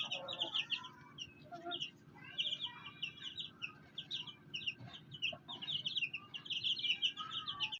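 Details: A brood of fighter chicks beside their black hen keeps up busy shrill peeping. Occasional lower clucks and a steady droning background are also heard.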